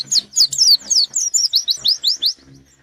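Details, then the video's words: Short burst of white-eye song challenging a rival: rapid loud high slurred chirps, about five per second, descending in pitch, ending abruptly. "Burung pleci gacor nyari lawan"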